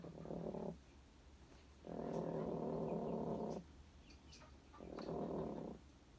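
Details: Caged broody hens fighting over space while both sit on one egg, growling like dogs: three long, low, rumbling purr-like growls of about one, nearly two and one second, separated by short pauses.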